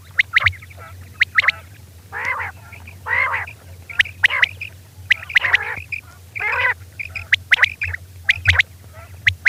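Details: Lure recording of a female common quail for quail hunting: rapid, sharp, clicking notes in clusters of two or three, broken by a few rough, buzzy calls, with a low hum throughout.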